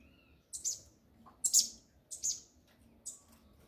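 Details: Coleiro, or Double-collared seedeater, in the 'mexida do grego' style: four brief, piercing high chirps spaced about half a second apart, each dropping slightly in pitch, over a quiet background.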